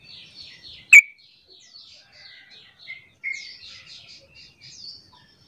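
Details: Sooty-headed bulbul call for drawing other bulbuls into calling back. One loud, sharp note comes early, then a long run of quick, soft, high chirps and twitters with a brief louder chirp midway.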